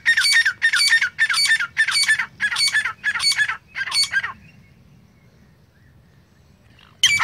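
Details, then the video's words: Francolin giving a harsh, loud squawking call: seven rasping notes evenly spaced about every half second, then quiet with low background rumble, one more note at the end. "Top 5 Different Hunting Voices of Francolin"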